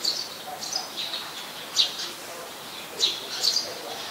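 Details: In Ubon Ratchathani, Thailand, on 10 May 2020, a Eurasian Tree Sparrow, a very common resident there, gives short, bright chirps scattered irregularly over four seconds against a steady high background hiss.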